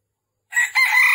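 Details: Crow of a red junglefowl rooster, recorded during trapping on the morning of 13 December 2021 in Vietnam. A wild bird came in to fight. After half a second of silence, a strident two-part crow begins and runs to the end.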